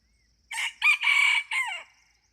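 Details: A red junglefowl crows at dawn during decoy luring. The loud crow has four segments: a brief opener, a strained second burst, an extended steady middle note and a trailing downward-sliding ending. It is the only sound.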